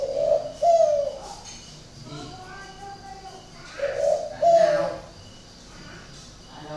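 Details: Caged spotted dove at a breeding garden in Ba Vì, Hanoi, with an unusual coo. Two paired coos, each a rough note then a smooth one, are separated by brief human talk.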